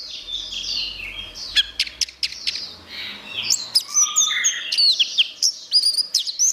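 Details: Orange-headed thrush delivering a lively, varied song: soft high warbling, then sharp ticking clicks roughly every half second, and bright slurred whistles and twitters to finish, over a faint low rumble.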